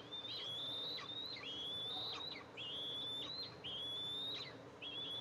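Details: Eastern imperial eagle nest on camera, 14 July 2024: the mother flies in to feed two eaglets. Drawn-out piping whistles repeat almost every second, each with a sharp drop at its end. Some whistles overlap, and faint higher squeaks sound above them.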